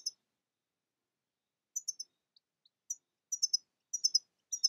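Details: European goldfinch (Carduelis carduelis), sparse high thin chirps in clusters of two or three, separated by silent gaps, with a couple of faint soft ticks in between.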